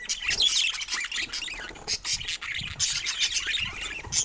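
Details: Pet budgies playing together in a group; steady, busy high-pitched twittering and squawky chatter filling the whole stretch, with low rumbling underneath.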